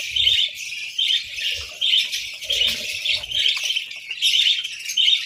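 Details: Several budgerigars chirp over a breakfast of boiled eggs and bread in winter: dense, scratchy high chatter in bursts about once a second, with brief quiet gaps and faint low knocks beneath.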